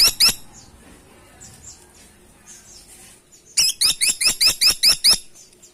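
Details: Grey-and-buff Woodpecker: two opening squeaks, a pause with faint chirping, then a rapid string of about nine high, rising notes at an even, quick pace.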